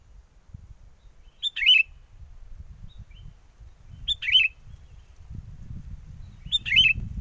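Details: Trapping-lure song of a sooty-headed bulbul in gusty wind: three brief, liquid, warbling phrases spaced about two and a half seconds apart over a steady low rumble of wind.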